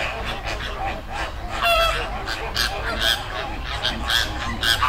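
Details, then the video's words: Flock of flamingos in a river in the Dominican Republic: overlapping nasal, goose-like honks and chatter from many birds, with steady low rumbling background noise. "Sound Effect Of Flamingo Flock"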